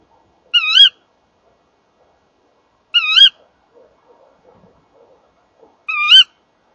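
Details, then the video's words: Female tawny owl calling at the nest box while the pair visits on a January 2014 evening; three sharp, rising kewick calls spaced about 2.5 seconds apart, with faint rustling between. "Bosuil M en V roepen samen bij de kast"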